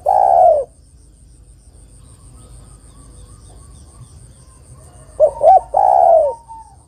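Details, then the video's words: Female spotted dove calling to the male: the end of one coo is followed by a pause, then two short hiccuping notes and a long, falling, throaty coo. "TEKUKUR BETINA MEMANGGIL JANTAN ini PALING PANDAI membuat TEKUKUR JANTAN bunyi"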